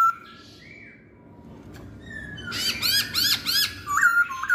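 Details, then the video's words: Masked laughingthrush song that opens with faint whistles and soft, breathy notes, then builds into loud, harsh, repeated arched notes and ends with a bright, slurred whistle. "Kicauan Poksay Hongkong"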